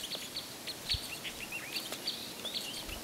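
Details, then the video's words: Red Crossbills, probably Type 3 but not confirmed, Bayfield County, 9 March 2018: several birds giving short, sharp high chips at once in a quick, uneven scatter over a low background hiss. "Red Crossbills"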